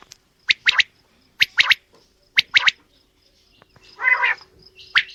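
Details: Quail, male and female, calling: three sharp triple-note phrases spaced about a second apart, then a longer, harsh, buzzy note.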